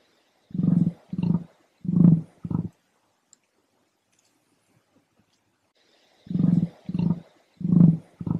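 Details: Emu in Western Australia giving deep, low thudding booms in two bursts of four pulses each, the third pulse in each set longest, separated by a few seconds of silence.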